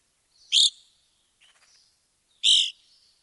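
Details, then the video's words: Evening grosbeak from Wisconsin giving two loud, burry, clipped calls about two seconds apart, with a faint softer note between them; otherwise quiet background. "Wisconsin Bird Sounds - Evening Grosbeak"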